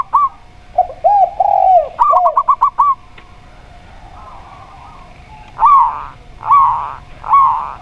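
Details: Local zebra dove heard against a spotted dove. A quick run of six or seven clipped, bright notes is set between lower, arched coos. Later come three broad, buzzy hoots with silent gaps.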